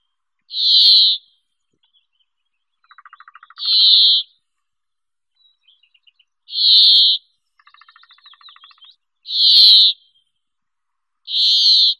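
A brambling gives harsh, nasal, buzzy wheezes, five in twelve seconds, with soft chattering notes in the gaps.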